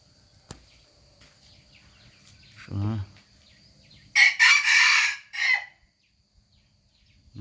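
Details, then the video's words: Rooster crowing: a loud, harsh, broken crow of about one and a half seconds in several bursts, preceded by a short low harmonic call and followed by quiet rural background with faint chirping. "suab qaib qua zoo nawb"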